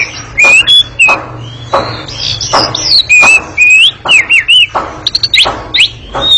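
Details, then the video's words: Oriental magpie-robin in ngekek style, a long, agile, noisy chattering song: clear wavering whistles and twisting slurred phrases broken by scratchy rattling bursts roughly every second. "Kacer ngekek panjang sangat gesit dan berisik"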